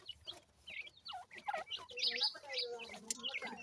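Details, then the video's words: Baby teetar (francolin) chicks giving a busy stream of high, slurred chirps and peeps from more than one bird, with a lower hum and possibly faint voices underneath. "Teetar Chicks Khurak, Baby Pheasant Calling Guide"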